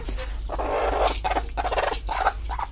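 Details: A broody native (deshi) hen gives a run of harsh, throaty clucks in short bursts, about five in under three seconds, over a low steady hum.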